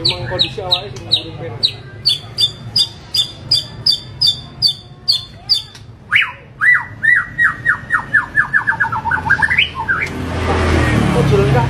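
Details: Full, harsh, varied song of a white-rumped shama: a long series of sharp high notes repeated about three per second, followed by a fast descending run of whistled chirps, ending in a rush of noise.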